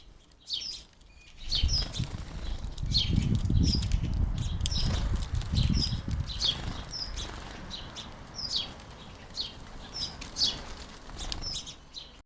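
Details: House sparrows feeding at a garden bird feeder: short, bright chirps repeated quickly and unevenly, nearly three a second, over low rumbling and fluttering wingbeats.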